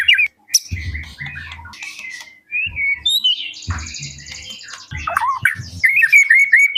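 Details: White-rumped shama (Copsychus malabaricus), song: provoking other shamas to answer and sing.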